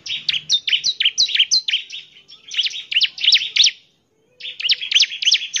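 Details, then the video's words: Lively bar-winged prinia singing to draw replies from other prinias, a fast chain of bright, high notes, roughly three per second, with a short silent gap before a final burst. "Inilah suara ciblek GACOR paling di gemari, SEMUA ciblek pasti langsung NYAUT"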